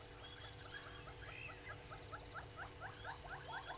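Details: Southern yellow-billed hornbill calling at a waterhole on Djuma Game Reserve in South Africa's Sabi Sand, early morning of 24 April 2022: rhythmic clucks building over a few seconds, mixed with whistles and chatter of other birds.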